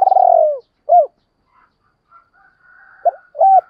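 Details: Spotted dove voice compiled to excite wild doves: a drawn-out, burry descending coo, a single arched hoo, a near-silent gap with faint high traces, then two short hooting notes.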